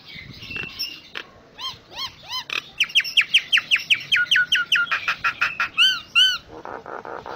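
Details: Jalak Nias (common myna) song full of varied notes for tutoring songbirds: scattered squeaks, then a fast run of sharply descending whistled slurs, a few looping whistles, and a closing dry rattle.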